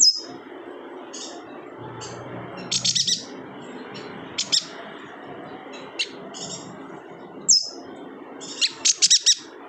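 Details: Kalimantan yuhina used as a tutor for songbirds such as magpie robins: sparse high chirps and two short bursts of ringing notes, with a falling whistle between, over steady background hiss and faint low hum.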